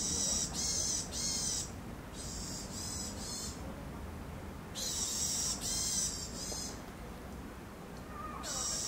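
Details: Eurasian sparrowhawk at a breeding site, spring 2021, where mating occurred but breeding failed; loud harsh nasal calls in clusters of two to four separated by pauses, with low background noise.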